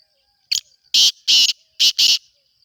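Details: Black francolin calling in the breeding season: one short grating note, then four loud, harsh, rasping bursts in two pairs, about a third of a second each. Quiet otherwise, with a faint thin whine between the phrases.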